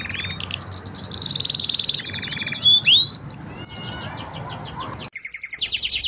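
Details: Five canaries singing a training song: a rich, continuous high-pitched mix of fast rolling trills, sweeping whistled notes and buzzy chattering phrases that change every second or so, with a sharp metallic rattle near the end.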